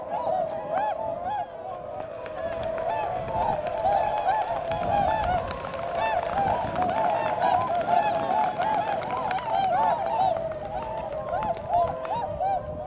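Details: Swans running upwind before taking off, filmed in early February around 8 a.m.: a dense, continuous chorus of nasal honking calls from many birds, overlapping constantly, with faint background noise.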